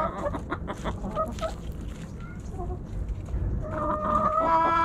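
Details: Backyard chickens, hens and roosters, snacking on Thanksgiving; a dense run of short clucks, with a longer, steadier harmonic call building toward the end over constant low rumble.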